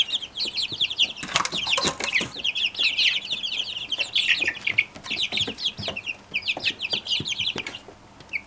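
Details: Brahma chicks, all from one hen, in a dense chorus of high falling cheeps, with a burst of clattering rustle early on.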